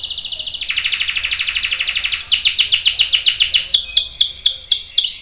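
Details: Singing canary with a long roll used to get other canaries singing: a rapid buzzy trill widening in pitch, then a series of repeated sweeping notes about four per second.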